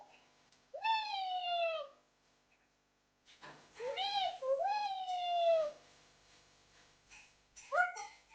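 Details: A young, healthy pet rose-ringed (ringneck) parakeet, hand-raised from ten days old, talks in Urdu/Hindi: short, nasal, sing-song phrases of two or three syllables with brief pauses, then a rougher squawk near the end.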